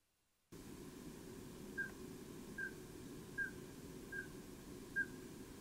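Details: Migrating Common Scoter flying over Sidestrand at 03:25 in 2018, with Redwing also migrating: five short, piping mid-pitched flight calls under a second apart, over a steady low rush of wind or surf.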